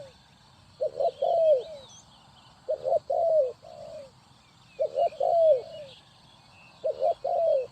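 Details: Spotted dove in Ninh Thuận, Vietnam, serving as a trapping decoy, repeating a coo-coo-croooo phrase four times, roughly every two seconds, the last note longest and falling; faint twittering of other birds and a low rumble in the background.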